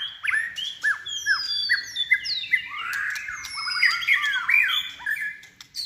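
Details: White-rumped shama trained for singing contests, in its third season, delivering rapid overlapping whistles, downward-swooping notes and twittering phrases repeated quickly, with a steady low background hum.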